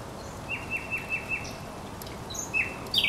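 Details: Recorded on 24 April 2022 at the Żerań Canal, a thrush nightingale gives a quieter song: a series of five short, evenly spaced notes, then a pause and a brief higher phrase, over faint background hiss.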